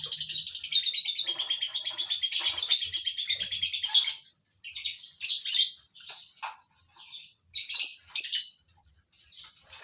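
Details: In a colony-bred captive group, lovebirds open with a long rapid run of buzzy, piercing chatter, then break into separate shrill screeches with short silent gaps.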